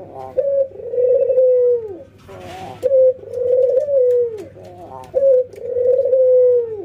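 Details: Ringneck doves, an albino white bird against a local one, nodding and laughing during routine training: three long falling coos, each opened by a short clipped note, with a brief harsh rasp between the first two.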